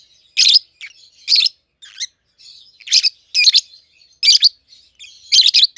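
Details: Peach-faced lovebirds, a red-headed green opaline and a red-faced dark green hatched in captivity, seven to eight months old, exchanging loud piercing chirps roughly every second, with faint twitters in between.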